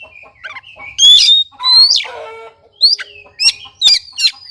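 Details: Lively Oriental magpie-robin song, used as a lure to make a silent bird sing. Rich loud whistled phrases with rough, buzzy, descending notes mid-clip, followed by sharp repeated upswept whistles.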